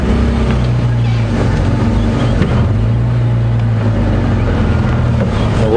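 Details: A loud, low engine drone, like a boat or vehicle motor, with steady humming tones and faint voices and music underneath.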